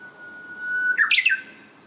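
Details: Japanese bush warbler singing: a long, steady, pure whistled note held for nearly a second, then a quick, loud flourish of two or three higher, warbled notes before fading; faint steady background hiss.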